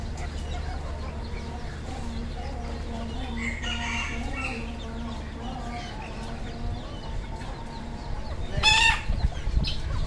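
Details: Red junglefowl kept on a farm in Cambodia; a loud, harmonic, crow-like call bursts out late in the recording after a long stretch of low hum and faint scattered calls.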